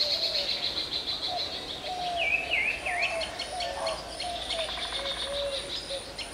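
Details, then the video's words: Song of the magpie robin, national bird of Bangladesh: a few descending whistled notes in quick succession against a dense background of insect-like buzzing and a low wavering hum. "Song of Magpie Robin"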